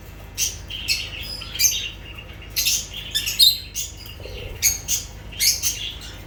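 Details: Lovebirds trading high sharp chirps and squawky notes in uneven bursts, roughly one every half second, with short pauses.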